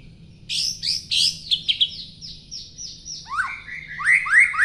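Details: Long-tailed white-rumped shama singing: a varied phrase of high buzzy and whistled notes, a steady sustained high tone, then rising slurred whistles toward the end, with a faint low hum beneath.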